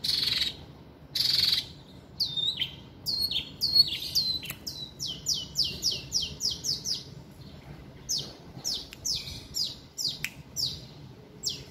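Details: A long-tailed shrike pours out a loud, high, varied song full of mimicry, said to include chicken and gecko sounds: two harsh scratchy bursts, then rapid strings of sharp downslurred whistles, many per second.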